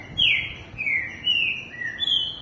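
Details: Captive male green-winged saltator (trinca-ferro) singing to defend its place on sensing another male in the house. Birds are kept within sight of each other for ten minutes at dusk to spur singing. Clear whistled notes slide downward, about four phrases in two seconds, quiet background.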